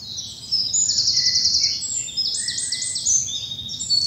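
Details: Spring dawn in a bluebell wood, South of England; loud, busy high-pitched trilling and rapid chirped phrases from several birds at once, with a few lower whistled notes.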